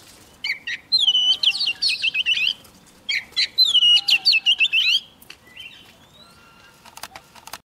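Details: Young Oriental magpie-robin singing strongly as a wild bird comes near: two fast rolling phrases of warbled, trilled whistles, each lasting about one and a half seconds, then a single soft note and some sharp clicks.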